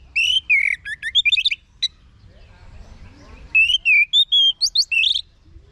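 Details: Orange-headed thrush song played to train kept birds to answer. It has rapid runs of varied whistled and trilled notes, some sweeping up and down, then a short pause and another lively phrase of clear whistles.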